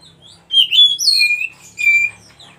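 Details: Oriental magpie-robin, white-breasted kacer, singing wild-style as a master for stressed birds: a brief bright whistled flourish followed by two longer level whistles, over a faint low hum.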